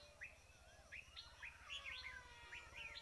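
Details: Red-whiskered bulbul heard during bird trapping: short rising whistled chirps repeated about every half second, with a faint steady hum underneath and other birds calling in the background.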